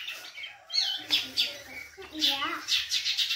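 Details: Caged pet long-tailed shrike in song, giving scattered squeaky and slurred notes at first, then a burst of rapid, scratchy, high chattering phrases with falling warbled notes underneath.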